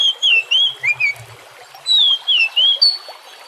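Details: Oriental magpie-robin (kacer), used as a lure call to prompt birds to sing, singing clear, high, wavering whistles in two quick bursts of looping notes, with a faint low rumble between.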